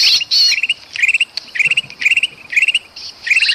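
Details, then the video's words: Bulbul (kutilang emas) calling excitedly near a trapped bird, Sumatran forest: a couple of harsh shrieks, then spaced bouts of quick rising chattered notes about twice a second. "suara kutilang emas ribut sama kutilang kejepit"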